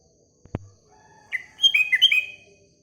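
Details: Sooty-headed bulbul singing in the morning, a short phrase of bright, liquid whistled notes stepping up and down, preceded by a single dull knock.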